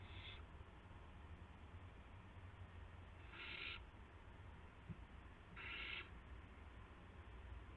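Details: Hissing owl calls during a gopher delivery, March 18 2016, 8:00 PM: three harsh, noisy rasps, each under half a second, separated by about two to three seconds, above constant low-pitched background rumble.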